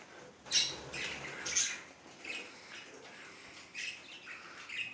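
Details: Budgerigar calling with sharp squawky chirps about once a second, interspersed with softer twittering over a low background hiss.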